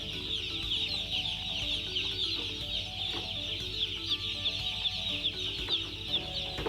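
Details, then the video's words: A loud, unbroken chorus of high, rapid peeps from a flock of broiler chicks, with faint knocks and a steady low droning hum underneath. "Broiler chicks"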